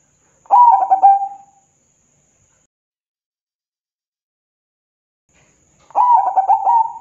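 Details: Zebra dove song meant to provoke other doves into answering: a low, gentle cooing phrase of quick stuttering notes ending in a drawn-out coo, heard twice about five seconds apart in quiet surroundings.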